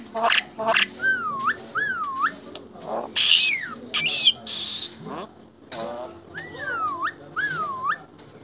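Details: Chattering song of a contest-champion Asian pied starling: sharp clicks, then pairs of looping wavy whistles, a loud harsh rasping burst, and more paired wavy whistles at the end.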